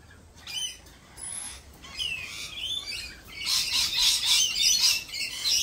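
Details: Several lorikeets: a few scattered squeaks and a rising whistle-like note, then a loud, continuous, harsh screeching chorus over the last two seconds.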